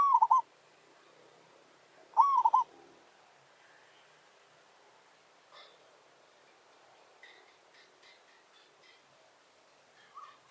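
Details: Zebra dove used as a lure for territorial challenge trapping, with a wild bird coming in to challenge. Two quick, rolling, bubbly coo phrases in the first three seconds, then faint rustles, distant chirps and a soft coo at the end.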